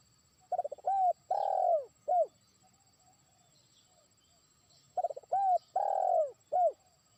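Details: Trained decoy spotted dove calling a distant rival: two phrases, each a quick stuttering run of notes, then a long arched coo and a short closing coo, with a pause of about three seconds between them. The background is quiet.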